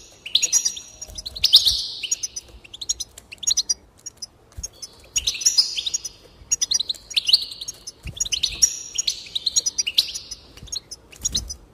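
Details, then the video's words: Goldfinch song made of rapid chirping runs and drawn-out buzzy trills, repeated steadily about every one to two seconds, the bird close and clear against a quiet background. "increase the enthusiasm of the goldfinch and encourage it to song"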